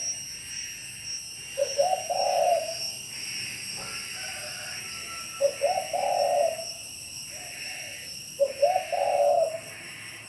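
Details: Spotted dove at Bảo Lộc, Lâm Đồng, Vietnam, giving three mellow coo phrases, each a brief stammer into a longer low note. A loud, broad background rush and hum runs throughout.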